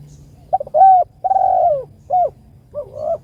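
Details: Spotted dove, locally tekukur, calling its companion with a stuttered start, a mellow coo, a long drooping coo, a short coo and a softer rising trailing note, over low hum.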